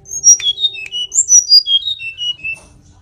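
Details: Tledekan gunung song: a clear sequence of pure whistled notes, each slightly lower than the last, wavering down in a sweet descending phrase.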